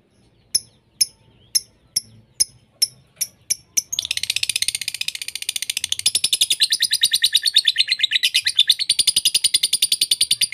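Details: Lovebird, from a mixed lure and master recording for lovebirds: eight evenly spaced sharp chips, then a long, unbroken, rapid, high-pitched chattering trill.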